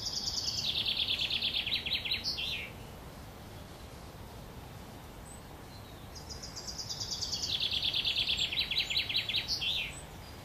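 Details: Nestling Eurasian wrens at Worthington Lake, Standish, Wigan, begging while their mother feeds them: two bursts of shrill, rapid, buzzy churring, each about two and a half seconds long, separated by several seconds of near quiet.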